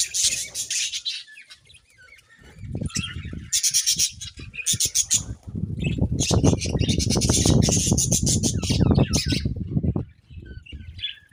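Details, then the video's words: Several budgies chirping in bursts of harsh, high chatter that come and go, set against heavy low rustling and thumping noise, possibly wing flaps, through the middle of the recording. "Budgies Chirping Sounds"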